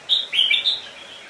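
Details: Red-whiskered bulbul decoy singing to draw in wild birds for a fight: one short, clear phrase of three quick slurred whistles.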